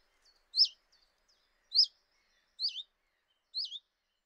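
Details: A Common chiffchaff heard at a kitchen window in Eibar in early March 2018: four crisp, high notes that drop and hook, sounding about once a second, with a few tiny faint chips between.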